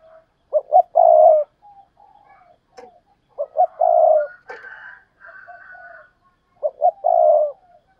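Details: Spotted dove from a recording of urging and calling coos, including the double-ending coo known in Vietnam as hai hậu: three low hoarse coo phrases, each two short notes and a long drawn note, about every three seconds.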